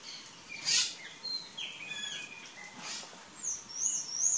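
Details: Plush-crested jay in courtship phase, a wild bird. Varied calls: a loud burst near the start, scattered short whistled and chattering notes, then a run of rising, slurred high notes at the end, over steady background hiss.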